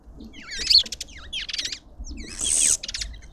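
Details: Lovebird at a busy garden feeder in a suburban garden in Pretoria, South Africa; shrill, chattering chirps come in quick bursts, ending with a harsher, buzzy high burst amid faint low background rumble.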